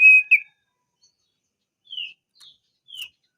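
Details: Crested darkeye lure for rolling song: a short clear whistle and quick upturned note, then three sparse, slurred descending chips after a pause.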